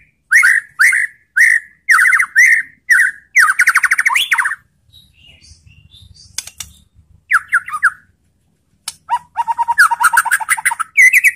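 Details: White-rumped shama baiting song meant to set off other shamas: evenly spaced loud whistled notes, a fast chattering run, a lull with faint low rumble, then renewed rattles and whistles.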